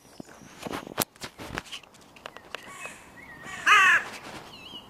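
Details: Crow at the music pavilion in König-Albert-Park, where the territory borders of three breeding crow pairs meet and are fiercely contested. A single harsh, loud caw comes near the end, after scattered clicks and thumps, with faint high whistles.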